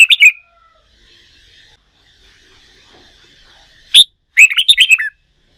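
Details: Red-whiskered bulbul, a newly wild-caught bird being trained for song contests: a brief whistled trill, a long quiet pause, then one sharp high note and a quick falling run of about seven bright notes.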